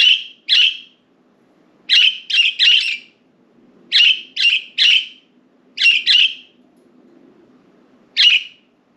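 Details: Several pet budgies loose indoors, perched on window blinds and flying around their cage; bursts of rasping chirps come in groups of two or three, repeated every couple of seconds, over a soft background hum.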